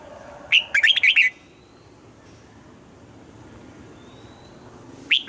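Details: Red-whiskered bulbul being trained to sing in the morning with a mature, forest-style double-note song. A short, bright, warbled phrase of quick rising and falling notes lasts under a second, followed by quiet, then a new phrase starts at the end.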